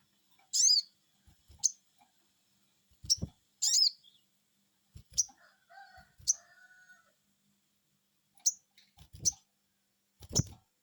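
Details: A sogon bird responds to a lure call with short, bright, arched "cuiit" notes, irregularly spaced and mixed with scattered low knocks and clicks, plus a faint, lower, wavering sound near the middle.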